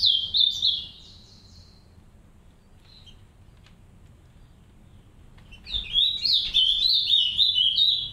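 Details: In an aviary, a captive green-winged saltator pair tends three chicks; a loud slurred whistled phrase opens, a pause of a few seconds follows with faint notes, then a second rich warbling phrase of rapid up-and-down notes.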